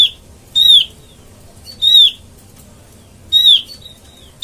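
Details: Trapping lure call of the Oriental white-eye: single high clear whistles falling slightly in pitch, repeated every one to one and a half seconds, with faint short tones between.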